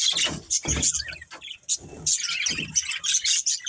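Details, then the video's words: Budgies chirping in short bursts of high twitters and bubbly notes, separated by sharp clicks and knocks from the surroundings. "Cute Budgies Chirping Sounds"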